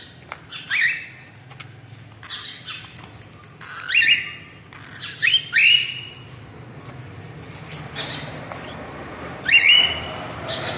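Cockatiels give harsh, rising squawks with a whistled edge, about six in eleven seconds, some in quick pairs, over a low background hum.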